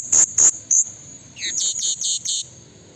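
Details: Blue-crowned hanging parrot lure call, meant to draw wild rivals in the forest. Three piercing high notes open, then a quick run of buzzy, slightly falling chirps, over a constant thin high hiss.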